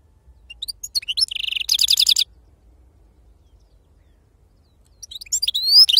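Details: Brief snatch of wild-caught European goldfinch song in serfati style: scattered high notes building into a short buzzy trill, a long silence, then a few rising twittered notes at the end.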